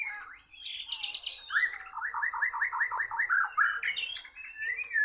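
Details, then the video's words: White-rumped shama dueling in song with a bird from Borneo and being outsung. Scratchy high notes lead into a string of about eight quick, looping repeated phrases, then varied whistles. "murai bordan kalah ngotot sama burung Borneo sampai ngelowo"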